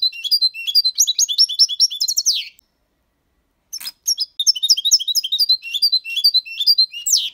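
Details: Goldfinch aged six months delivering clean Malaga copy-style song with motifs of colios, quejas and ornaments. Dense, rapid twittering of bright high notes pauses briefly, then resumes in a long, jangling run.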